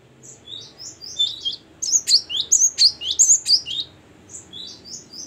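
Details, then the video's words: Great tit singing loud and continuously in gacor, ngeplong style: soft high whistled phrases swell into a dense, emphatic burst of sharp rising-falling notes, then fade back to quieter repeated phrases, with low background rumble. "ngeplong dan gacor burung gelatik batu"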